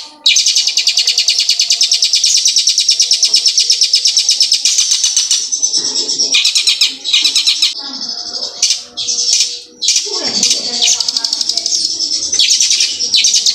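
A long, very fast rolling trill of high, sharp notes in the style of a hill prinia's song, given by a mimicking shrike, with brief pauses and a few lower chirps.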